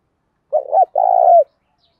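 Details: Single coo phrase from a spotted dove in the 'Đấu Bổi' form of 'thúc' cooing, with a field-type voice: a short two-part stutter, then a long purring note that slides down at its end, in silence otherwise.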